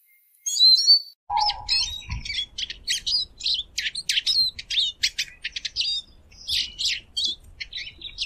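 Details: Eurasian siskin (Spinus spinus) song: a lively, rapid twittering stream of high chirps, clicks and short trills, with a brief lower whistled note near the start and faint low rumble underneath.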